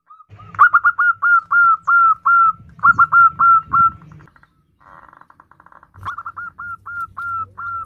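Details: Zebra dove female calls to a male with rapid runs of bright, hooked cooing notes, several strings broken by short gaps, loudest in the middle run, over a faint low droning hum.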